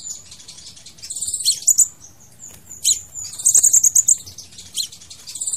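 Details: Crimson sunbird song, used to lure or trap birds: very high thin twittering around 6–8k, short bursts of rapid ticking notes separated by sharp high chips, with a few quiet gaps.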